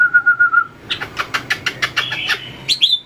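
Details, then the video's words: White-rumped shama practising fighting song with tail-flicks on its perch; a steady low whistle, then a rapid run of sharp ticking notes, closing with a high thin whistle. "luyện chòe lửa hót đấu,đập đuôi chạy cầu"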